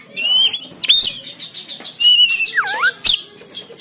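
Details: Caged oriental magpie-robin in Banten, phone recording meant to prompt singing and tail display; clear sustained whistles, a sharp click burst and a sweeping downward-then-up whistled slur.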